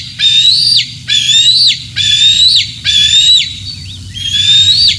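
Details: Bald eagle squeals on a June 2024 morning at Decorah North during feeding on delivered fish: five thin, high, whistled screams, each swelling and then falling off abruptly, evenly spaced about once a second.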